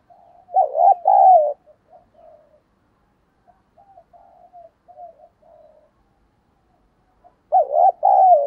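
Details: Spotted dove cooing to provoke fighting, with a voice style called giọng thổ: two loud, low, wavering cooing phrases, one at the start and one at the end, with faint, softer coos murmuring in between.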